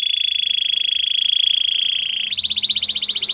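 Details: Belgian canary in song, holding a long even rolling trill for over two seconds before breaking into a higher, louder pulsed rattle.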